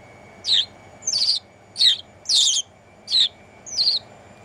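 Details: Shoulder-perched house sparrow, Netherlands, 1 January 2016, delivers six emphatic chirps, some doubled or buzzy, roughly every half to three-quarters of a second, against a soft steady hum.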